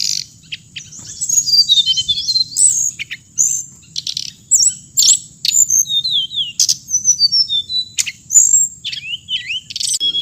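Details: Lively hồng hạnh bird song: continuous high twittering with many rapid chirps and down-slurred whistles, a few sharp clicks, over a faint constant high tone.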